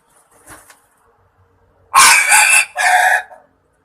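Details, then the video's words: Lure call of the green junglefowl (kasintu) of Java, played to draw birds in for hunting: a soft early note, then a loud, rasping two-part crow with a long harsh first section and a briefer second burst, background silent. "SUARA AYAM HUTAN JAWA / KASINTU"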